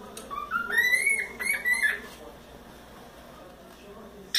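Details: Pet cockatiel, four months old, whistling during play on its playground: a rising, wavering whistled phrase lasting about two seconds, then near-silence with faint room noise and a sharp click at the end.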